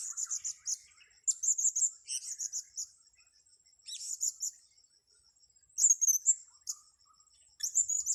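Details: Blue-crowned hanging parrot during a trapping session on grass: repeated clusters of shrill high chirps and buzzy trills separated by brief quiet gaps, over a steady faint pulsing insect-like background.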